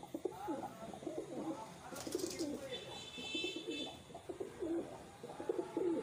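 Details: Kept wild pigeons cooing almost without pause, low rolling hoots rising and falling in a steady murmur, broken by a brief rustle and a faint high chirp midway.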